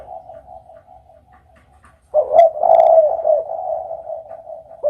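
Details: Faint repeated soft coos, a brief near-silent gap, then a loud, rolling spotted dove coo phrase that stays strong with wavering notes to the end.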